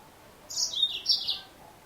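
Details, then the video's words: Female yellow-fronted canary: a single one-second run of bright, high twittering notes. Each drops quickly in pitch, in two linked groups, against a quiet background. "Mendengarkan suara burung Mozambik Betina"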